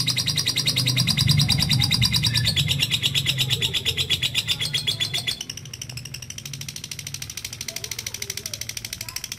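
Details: Lovebird in ngekek style: an extended, rapidly pulsed high trill that runs without pause, loud at first and then softer after about five seconds, over a low humming background.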